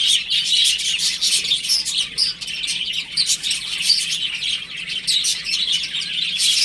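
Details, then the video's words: Chicks at home while playing, many peeping together in a steady, shrill chirping chatter that swells and dips throughout with no pause. "Cute Baby Chicken Chirping Sounds"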